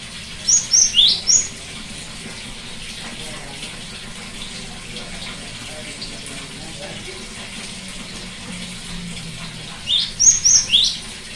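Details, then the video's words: Cinereous tit, used to get a quiet bird singing: a short burst of high whistled and rising notes at the start, a long stretch of steady hiss, then another similar burst near the end. "terapi gelatik batu macet bunyi"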